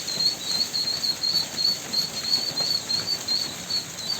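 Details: High, piercing peeps from ducklings, short whistled notes repeated about three times per second in a slightly uneven rhythm, with low muffled noise underneath.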